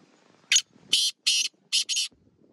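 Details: Black francolin, a Sheedi Chinga cross bird from village life: one phrase of five harsh, grating notes, the middle ones longest, with quiet background noise.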